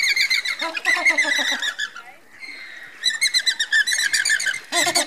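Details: A flock of Andean flamingos (Phoenicoparrus andinus), marching, gives a dense chorus of nasal, goose-like honks, rapid and overlapping, with a brief lull partway through.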